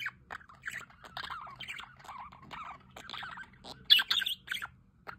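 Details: Aviary budgerigars near a solar fountain warble in twittering, descending chirps and mumbled notes, then a brief louder cluster of shrill squeaks toward the end.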